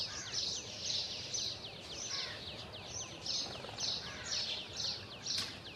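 House sparrows give a steady run of short, bright chirps, about two a second, with several birds overlapping against a faint outdoor hiss.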